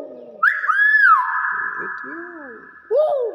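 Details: Common hill myna kept as a pet, mimicking human speech: a rising whistle, then a long sustained slurred note, followed by lower speech-like syllables and a brief buzzy ending, with a person talking in the background.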